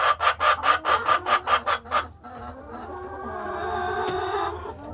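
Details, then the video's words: Inside a hen house on a peaceful afternoon, a hen gives about nine loud, evenly spaced clucks over two seconds, then softer drawn-out murmuring calls from other laying hens. "A Peaceful Afternoon in the Hen House | Real Farm Sounds"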